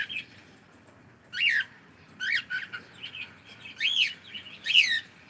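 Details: Pet cockatiel saying good morning: a handful of bright, arched chirping syllables rising then falling, spaced by short pauses over a quiet background.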